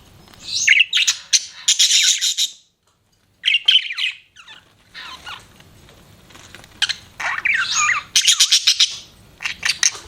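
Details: Pet budgerigars chirping indoors: bursts of rapid, buzzy, scratchy chatter mixed with short rising and falling whistled notes, broken by a brief pause partway through.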